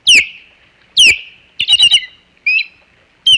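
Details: Alarmed osprey at the Hog Island nest on 27 July 2020 reacting to an intruder: sharp, downslurred whistled yelps roughly once a second, broken by a quick chattering cluster of shorter, rougher notes.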